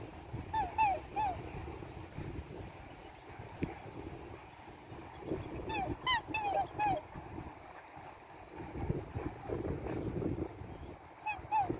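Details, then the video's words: Australian black swan family in Australia give short, clear, bugling notes that rise and fall, in loose clusters of two to four, over a steady low rumble of background noise. "black swan family bird hissing sound"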